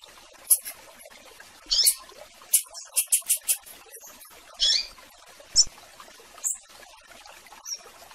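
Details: Rusty-collared seedeater calling to a female amid blue-black grassquit: scattered high chirps and buzzy notes, with a quick cluster of five crisp, very high clicks in the middle, over light background hiss.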